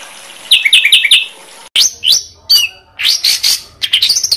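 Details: Training song for competition birds: a few quick paired chirps, a break, then loud rising and falling whistled phrases with sweeping, slurred notes.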